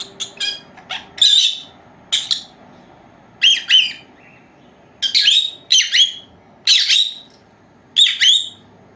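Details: Two four-month-old female lovebirds kept as pets, napping indoors, give sharp harmonic chirps and short squawks in irregular bursts about two seconds apart, some doubled, against a quiet room background.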